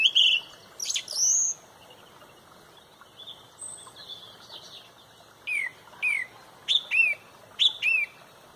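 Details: Song thrush at sunrise, Pontrobert, leading the dawn chorus: bright squeals open, then after a quiet gap come pairs of repeated downslurred whistled notes, each phrase sung twice before changing.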